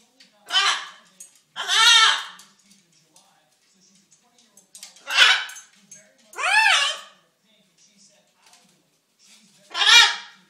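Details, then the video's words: Macaw kept as a pet, calling for attention and food, producing five loud harsh speech-like phrases in pairs and singles across ten seconds, with soft mutters in the pauses. "The Talking and Dancing Macaw"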